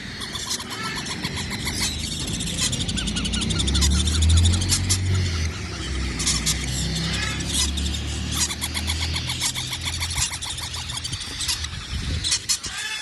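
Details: Cockatiel chicks calling in the morning: dense, rapid, harsh buzzy rasping repeated about two to three times a second, nearly continuous, over a steady low rumble and a person speaking.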